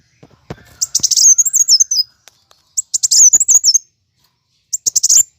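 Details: Plain sunbird delivering a fighting song to stimulate caged birds: three short phrases of dense high chips ending in a wavy trill, separated by about a second of silence.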